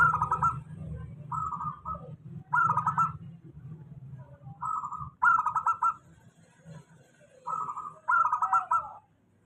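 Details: Zebra dove of a local strain giving a stable lure song for doves reluctant to sing: paired phrases of quick, trilling coos repeated roughly every two to three seconds, with a low hum beneath.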